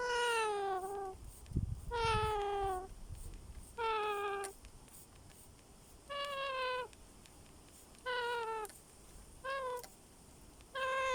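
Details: Young baby parrot calling in an aviary: a series of smooth, clear, slightly falling whining notes, each about half a second to a second long, repeated roughly every two seconds, with quiet pauses and faint background rustling.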